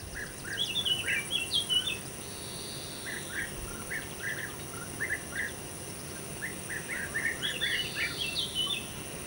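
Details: European bee-eaters calling, several birds overlapping: rolling, liquid trilled notes in bursts, some rising and some falling, with a dense cluster at the start and another near the end, over a steady insect hum.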